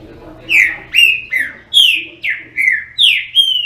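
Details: Singing green-winged saltator delivers seven rich whistled notes in under four seconds. Most are falling slurs, some sit level, and a longer, steadier tone closes the phrase.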